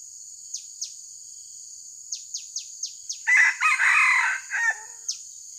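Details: Crow of a red junglefowl at a trapping site where wild birds are being lured. Several short, sharp, falling chirps come first. Then a harsh, rasping crow follows in three linked bursts, over constant shrill insect noise.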